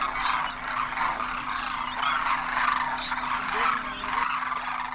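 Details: Thousands of Demoiselle cranes, known locally as Koonj, landing on migration at a Khichan water hole in Rajasthan, India; a continuous wall of overlapping rolling honks and trumpeting calls, swelling and fading, over a faint steady hum.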